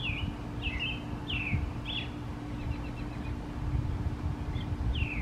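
A male American Robin sings short, clear, down-slurred caroling phrases, several a second and then a pause, over a steady low rumble and hum.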